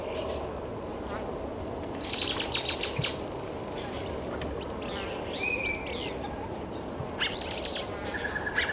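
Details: Great-tailed grackle in Taos, New Mexico, on 17 June 2017: scattered high whistles, a buzzy rattle and a short slurred squeal over steady low rumbling background noise.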